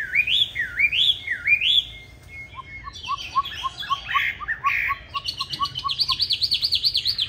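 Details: Chinese hwamei of the green-bean-eye type in competition song for training other hwamei: three looping upslurred whistles, a string of short, quick lower notes, then a fast, regular series of rising and falling whistles.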